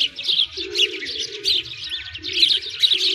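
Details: Sparrows chattering in a winter park beside a frozen lake, Moscow, Russia; dense, continuous high tweets and chirps, with a steady lower tone running underneath.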